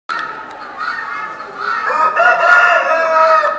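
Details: A gold partridge-laced Brahma hen at the Hégenheim poultry show in 2018 gives drawn-out, nasal calls that rise and fall, over overlapping crowing and clucking from other fowl.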